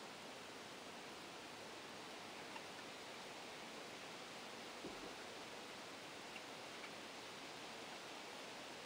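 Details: Faint, steady hiss of broadband noise like distant rushing water, with a few soft clicks and no animal voices.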